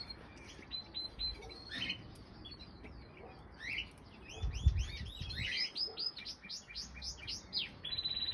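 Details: Common crossbill nestlings, a pair only days old in spring 2020, begging while the mother feeds them; scattered high chirps build into a dense run of rapid arched peeps, with low handling rumble underneath.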